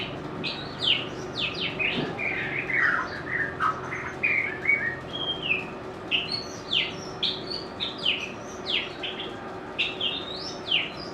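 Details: Singing white-rumped shama, known for a melodious, varied voice, gives a busy run of sharp chirps and short high whistles, many notes repeated in bursts across the clip.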